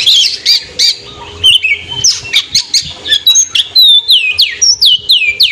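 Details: Oriental magpie-robin afternoon song meant to rile rival birds: harsh scratchy notes at first, then a quick series of high descending whistled slurs repeated about every half second.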